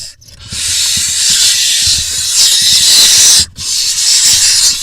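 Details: Barn owl nestlings in a nest box in Israel on 20 June 2021, as the smallest swallows a vole: a loud, harsh, continuous hiss with one brief break near the end.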